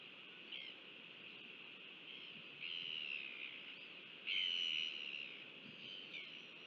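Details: A male royal albatross feeding its chick in New Zealand on 5 February 2023 gives thin, high squeaky whistles in short bursts, the longest about half a second, over a steady windy hiss.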